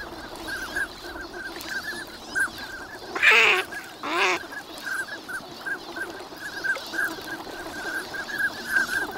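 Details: Many wintering migrant ducks at Lake Inawashiro's Nagahama shore, Japan, on a bright winter morning: overlapping whistled notes throughout, broken by two louder, rough, noisy calls a second apart in the middle.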